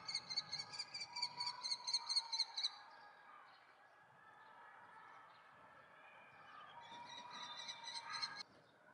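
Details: Common kestrel chicks on 2 June 2018, calling from morning while waiting for parents to return with food: bursts of rapid, harsh, repeated high notes, a quieter gap, then another hurried burst near the end.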